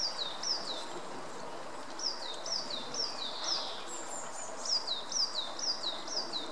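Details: Mallard (Anas platyrhynchos) ducklings give high, thin peeps slurring downward in quick runs of several notes about twice a second, over a steady background hiss of wind or leaves; a female mallard is involved.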